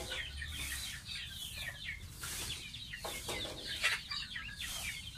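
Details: Young domestic goose taking a bath: continuous thin, descending peeps in rapid succession, mixed with broad bursts of splashing water.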